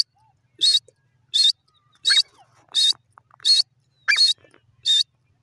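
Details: Francolin calling: loud harsh rasping notes with bright overtones, repeated at a steady rhythm of about one note every 0.7 seconds, with faint background clicks.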